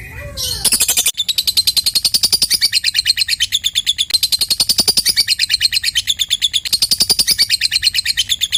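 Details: Lovebird ngekek, the extended chatter used to coax silent lovebirds into singing; after a few quick chirps, an unbroken, fast, shrill string of pulses fills the rest, steady in pace.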